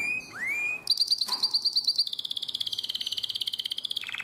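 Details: Canary of the nightingale-voiced song style, Drama, Greece, 2017: a clear rising whistle followed by a high, fast, rattling trill of many pulses that drops slightly in pitch near the end.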